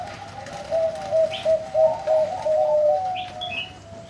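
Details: Big-voiced zebra dove from a bird farm delivering a rapid series of about seven short, equal coo notes followed by a drawn-out purring coo, with a short high chirp from another bird.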